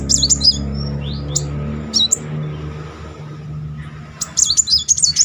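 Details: Brown-throated Sunbird rolling song aimed at triggering a silent bird: scattered high chips and short trills, a lull, then a quick shrill trill, with a strong low droning hum throughout.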